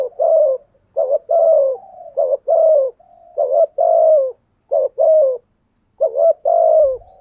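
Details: Thúc gù cooing by a spotted dove, which wild doves answer: paired short hoots then long falling coos, about 50 phrases a minute with soft murmurs between, faint low rumble at the end.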